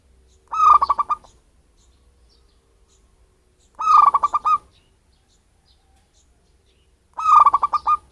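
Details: Locally caught wild zebra dove repeating its bird-luring call: three pulsed cooing phrases, each under a second long, spaced about three seconds apart, with near silence in between.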